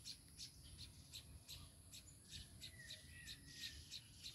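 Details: Baya weaver with its chicks: short, high, sharp chirps repeated about three times a second, fairly steady, over a constant low rumbling background noise.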